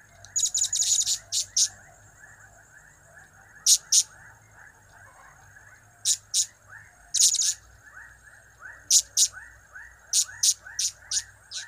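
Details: Blue-crowned hanging parrot calling energetically in cap-cap, kiak-kiak, crap-crap style. A rapid burst of high, shrill notes opens, then scattered pairs and short runs follow. A continuous, fast chorus of lower chirps plays in the background.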